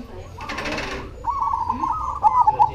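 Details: Cemani zebra dove in steady song. A human voice is heard first, then a trilling, rolling coo phrase ends with clipped notes.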